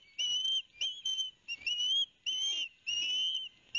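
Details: Young osprey pair at a Barnegat Light, New Jersey nest, September 2021, calling as the father delivers fish: drawn-out, high, slightly rising whistles spaced by short pauses, some notes clipped and brief.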